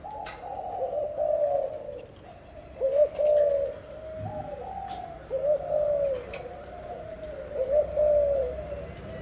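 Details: Spotted dove parent pair cooing, a series of soft low slurred coos repeated roughly every two to three seconds, over constant background hum with occasional sharp clicks and knocks.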